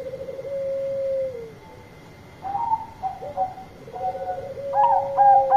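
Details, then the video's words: Zebra dove, a Bangkok-type bird, singing loudly to call companions: a long trilled, purring coo, then a series of bright, clipped, ringing notes that fall slightly at each end, with a low steady background hum. "Perkutut Bangkok Gacor Suara Keras Panggil Teman"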